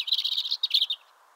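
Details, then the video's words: Spring song of a free-living European robin: a brief, dense burst of high, tinkling warbled notes that fades out after about one second. "chants , cris du rouge gorge HD/songs , calls european robin HD"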